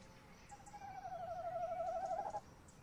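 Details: Male tawny owl at a nest box at 21:45 on 30 May 2015, with the female nearby, gives one long, quavering hoot of about two seconds, steady and mid-pitched with a slight downward drift, against a quiet night background.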